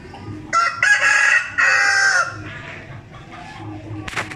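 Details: Gamefowl rooster crowing: one loud harsh cock-a-doodle-doo in broken bursts lasting about two seconds, then quieter clucking and background noise, ending with a sharp knock.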